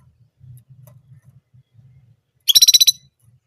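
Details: Orange German canary giving its one song type: a single fast, loud, high-pitched rattling trill of about seven rapid notes lasting under half a second, preceded by a faint low hum.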